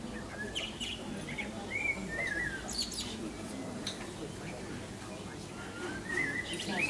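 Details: Pied wagtail at Findhorn, Moray, giving a few thin, slurred chirps, spaced irregularly and fairly faint against a steady low background hum.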